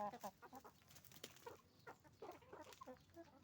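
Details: Hens and roosters on a chicken farm: a quick string of short nasal clucks overlapping from several birds, with a busy background of farm noise.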